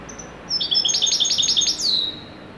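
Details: Widani-style song of a Moroccan European goldfinch: thin high lead-in notes, a quick series of about eight tinkling chirps, then a drawn-out falling slur closing the phrase.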